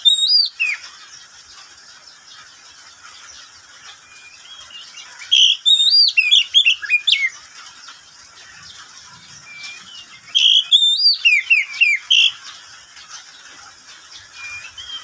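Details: Pet oriental magpie-robin singing at midday, with brief whistled bursts repeated about every five seconds, each a quick tumble of looping, slurred notes, quiet between.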